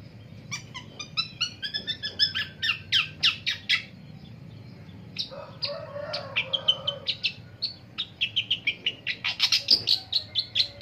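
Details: Long-tailed shrike in the morning delivering a long run of harsh chattering notes, some sharper and some buzzier. A lower rough sound intrudes midway before the rapid grating series resumes.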